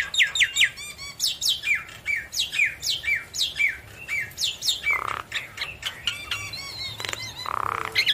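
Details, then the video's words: Vocal Javan myna, head nodding, delivers a busy jumble of sharp rising and falling whistles and clicks in quick succession, with rougher buzzy bursts near the end. "Jalak kebo Gacor Manggut Manggut"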